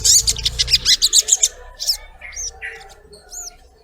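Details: Female collared kingfisher calling to a male: a quick series of harsh, high, clipped notes in the first second and a half, then scattered thin upslurred whistles fading out.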